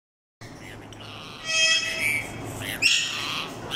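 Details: A male and female grey parrot pair give a run of bright whistles and harsh squawks, a broad burst near the start, then a sharp rising-falling whistle, over low steady background hum.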